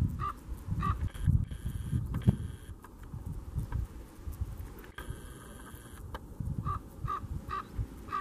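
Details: Canarian raven (Corvus corax canariensis) at Fagagesto, Gran Canaria, June 2017, gives short, hoarse, nasal calls, two at the start and a quick run of four near the end, over a steady low rumble and droning tones.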